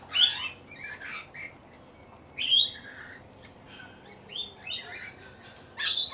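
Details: Rainbow lorikeets, wild birds drawn to seed put out on a home verandah in Victoria, Australia, giving harsh, shrill screeching calls in short bursts, with bursts clustered near the start, the middle and the end.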